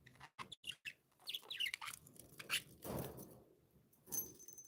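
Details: Pet budgerigars in a happy mood give quick, high twittering chirps and squeaks, broken by soft rustling and thumping noises, with a thin sustained whistle near the end.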